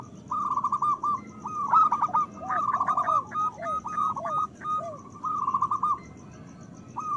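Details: Zebra dove song from local birds, played to make reluctant doves sing and come into breeding condition; chains of staccato coos run almost continuously, broken by soft curved notes.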